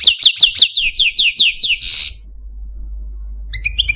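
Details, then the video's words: Male Algerian Parva goldfinch kept in a cage giving a series of about eight repeated downslurred whistled notes, a harsh buzz, silence, then soft twittering. "Algerian Parva goldfinch, Chardonneret, Cardelino, Jilguero Stieglitz, Stillits"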